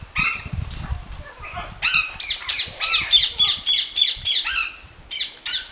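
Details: Captive Orange-winged amazons at a Lake Balaton bird garden in Hungary, bathing, give harsh, raspy squawks and shrill chattering notes, about three to four a second, with a faint, high whistled tone threading through.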